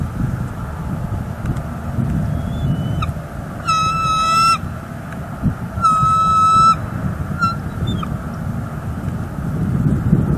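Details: Bald eagle at a northeast Florida nest, 18 January 2022, on a live nest camera during a food delivery from male to female while he incubates. Two loud, sustained, high ringing notes and a few faint short ones sit over steady low rumbling background noise.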